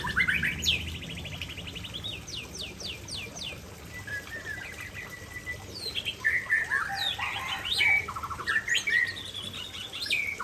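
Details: White-rumped shama singing near a waterfall, a rich, varied run of whistled phrases, rapid buzzy trills and sharp rising notes, loud and shifting in pattern throughout, with steady rushing background noise.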